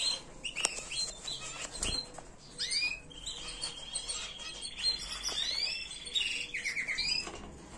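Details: Canary tutor song, error-free, for training chicks: mixed chirps and swoops with a thin sustained trill in the middle and a brief buzzy roll, over some background rustle.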